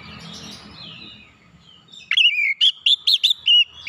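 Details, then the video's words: Oriental magpie-robin used to lure other birds into song. Low background murmur fills the first two seconds, then a rapid string of clear, short whistled notes follows, each a quick rising or falling slur. "kicauan Kacer pemikat | KACER bahan susah bunyi cepat gacor"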